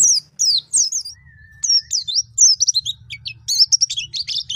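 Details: White-eye in wild forest style, played to stir young birds: quick looping whistled notes, a thin steady tone around the one-second mark, then a dense burst of sharp twitters.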